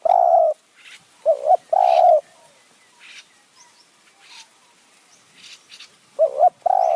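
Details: Decoy spotted dove in the high mountain forest of Kanchanaburi, Thailand, used to lure wild doves, in the "khu ang, nun ang" calling style. Mellow coos come in phrases of a short wavering note and a longer steady note, separated by a quiet gap of several seconds.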